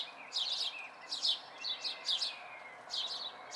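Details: House sparrow fledglings watched locally in May 2020, giving short chirps around 3–5k, in uneven bursts of one or two notes, several per second at times, over steady low background hiss.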